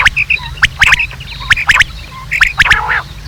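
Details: Rain quail lure calls: sharp clicking notes mixed with short, squawky chirps, repeated roughly once a second in uneven groups.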